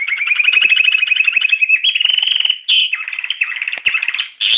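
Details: Canary singing a continuous fast song of rapid trills and rolling chirps, shifting pitch every second or so between phrases, with sharper bright bursts near the end.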